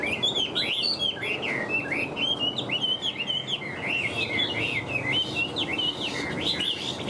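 A Hwamei pours out an unbroken run of loud, clear whistled phrases, each note sliding up and down, over a faint low background hum.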